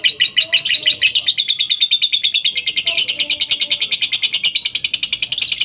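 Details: Rapid, rattling ngekek from a lovebird, used to coax other lovebirds into song: an unbroken stream of harsh, high chirps pulsing about three times a second throughout.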